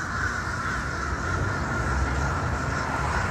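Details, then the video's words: A large flock of crows, thought to be mostly Fish Crows, calls together in a dense, continuous chorus of nasal caws over steady low rumbling background noise. "The big flock of crows around 9:45 sound like they are mostly Fish Crows."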